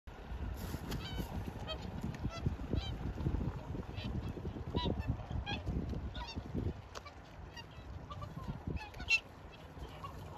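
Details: Whooper swans at Hirakawa, Aomori, Japan, in 2021: several birds give scattered nasal, bugling honks, some rising, over a low rumbling background.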